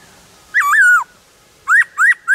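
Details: Black-throated laughingthrush singing in the wild. One long wavering whistle that drops at the end, a pause, then three quick upslurred whistles in a row over faint background hiss.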